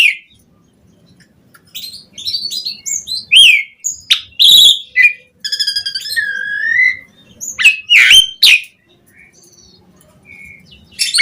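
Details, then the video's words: Asian pied starling, a vigorous bird with a rich, varied repertoire, used as a lure to prompt other starlings to sing: whistled notes, rising slurs, harsh broadband bursts and chattering trills in uneven phrases with short pauses. "Suara JALAK SUREN Gacor MATERI Full Mewah Cocok Buat Pancingan Burung Jalak Biar Cepat Bongkar Isian"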